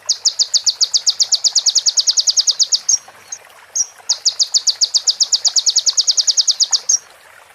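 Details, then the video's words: ['Sunbird song with mimicked prinia phrases, recorded as a training track for other birds: two long rapid trills of sharp high ticks, split by a few brief chips.'] "MASTERAN KONIN FULL ISIAN PRENJAK BETINA SAMBUNG CIBLEK BREN JERNIH JEDA ORIGINAL DARI SUARA KONIN"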